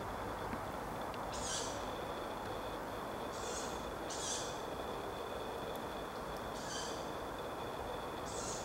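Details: Two young Tawny Owls in Reservoir Wood, Wanstead Park, just after 10pm, give short, hoarse, hissing rasps, five in nine seconds at an uneven pace, over a steady thin whine and low rumbling background noise.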